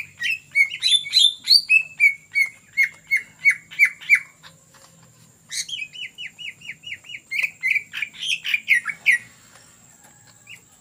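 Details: Long lure performance from a greater green leafbird in gacor ngetrok style: chattering high phrases give way to a steady run of repeated notes, a short gap, then another rapid series of about fifteen downslurred notes.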